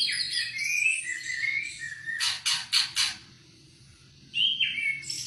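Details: Oriental white-eye, singing for use as a tutor for other birds: high rambling twitter, interrupted by four loud harsh rasping bursts, then a brief pause before the twittering resumes. Low background rumble.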